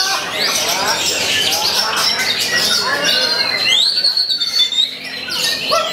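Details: Oriental magpie-robin throwing out shama-like material to counter rivals: dense scratchy warbling and bright rising whistles, thinning after four seconds into clipped, stuttering notes.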